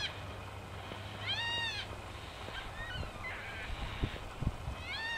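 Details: A group of Yellow-tailed black cockatoos along tracks in Royal National Park near Heathcote oval gives one long arched wail, with fainter calls and another wail starting at the end; scattered clicks and rustles.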